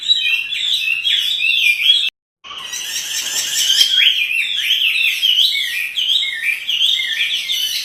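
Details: Caged Chinese hwamei singing energetically as it dances: bright, looping whistled phrases broken by a brief silence, then resuming in a fast, varied warbling run.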